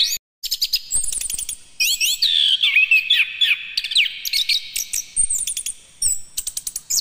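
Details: An orange-headed thrush (Geokichla citrina) recording used in Indonesia to train young thrushes to sing: a rich, varied song of fast whistled and chattering phrases, with rapid high sweeps and trills in quick bursts.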